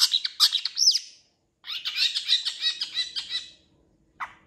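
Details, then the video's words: A long-tailed shrike, recorded as a master song for training other shrikes, gives a scratchy, chattering song of harsh notes in two fast bursts, ending with one short squawk; nothing else is heard. "MASTERAN CENDET GACOR"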